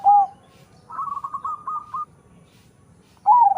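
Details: Crossbred zebra dove, a local bird crossed with a Bangkok line, bred for a big voice, giving clear low whistled coos: a short opening note, a wavering trilled phrase about a second long, then another short note after a pause.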